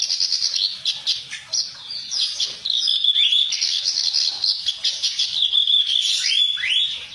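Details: Reed warbler (kerak basi) training recording featuring harsh notes: a continuous, rapid, grating chatter of scratchy notes and short rising slurs, sustained throughout without pause.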